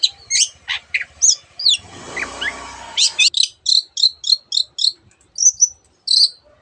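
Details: Long-tailed shrike mimicking canary and other birds; high whistled notes, then a brief noisy patch, then a steady run of about a dozen evenly spaced, chirping double notes.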